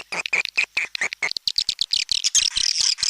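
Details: Swiftlet calls in the style called tarik langgeng. Short, high chirps repeat rapidly, about two per second, then blend into a denser, shrill twittering chatter toward the end.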